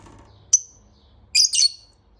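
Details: Lovebird in the morning giving a single sharp, high chirp, then a quick pair of shrill, harsh squeaks about a second later, with quiet low hum in the background.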